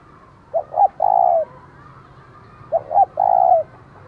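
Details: Spotted dove used as a decoy, its provoking call meant to excite wild rivals, in the giọng thổ voice. Two clean, loud phrases, each a short double note and then a long, level coo, with little else audible.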